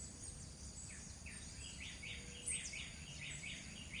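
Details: A northern seedeater (coleiro do norte) at seeds gives a quick string of short, bright, down-slurred chirps, about three per second, over steady background hiss and a high insect whine.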